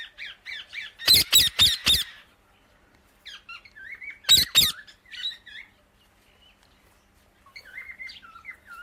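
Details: Indian ringneck parakeet chirping: a fast series of four harsh screeches, another pair a few seconds later, and low twittering and chattering notes between them.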